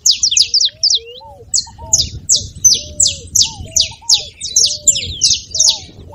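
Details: Saffron finch singing to prompt a silent canary to sing: a fast cluster of thin high chirps, then a steady run of loud, buzzy downswept notes, with low slurred whistles from a second bird underneath.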